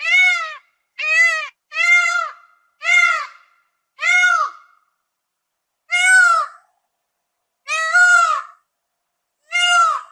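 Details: Repeated peafowl calls: eight short, strident, harmonic honks, the first five in quick succession and the last three more widely spaced, with clean silence between them.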